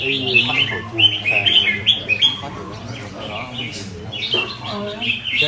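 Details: Red-whiskered bulbul kept as a cage bird, singing short bright whistled phrases in quick bursts, several per second at first, with a pause mid-clip and more phrases near the end. People talk softly underneath.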